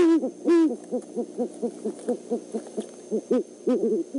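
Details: Male and female great horned owls visiting the Decorah eagle nest overnight, 12-17-14: two loud, deep hoots open the clip, then a quick, fairly even series of short, softer low notes with a few stronger hoots mixed in.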